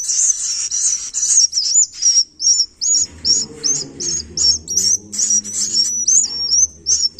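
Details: High, thin whistles from swiftlet nestlings, some rising and some falling, each with a hissy edge, repeat roughly twice a second; a low hum joins in the second half.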